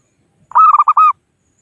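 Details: Zebra dove of a local wild strain, its call to rivals serving as a trapping lure: one short rolling phrase of five notes, the first and last stretched, in a quiet setting.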